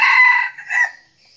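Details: A red junglefowl used as a decoy, one that crows readily, lets out a loud, hoarse crow: a strong opening note followed by a fading, strained second part, then quiet.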